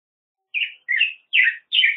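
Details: Black-headed grosbeak song: four rich, warbled phrases around mid-high pitch, each slurring up and down, spaced by short pauses against a quiet background.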